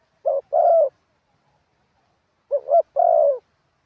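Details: Decoy spotted dove singing 'karam pa' wild-style song with 'khat' and 'nun': two phrases about two and a half seconds apart, each a clipped double coo and then a drawn-out mellow coo.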